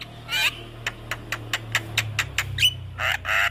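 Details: Javan myna singing, a recording used as master song to train young mynas: broadband harsh squawks at start and end with a run of short clicking notes between, low hum beneath.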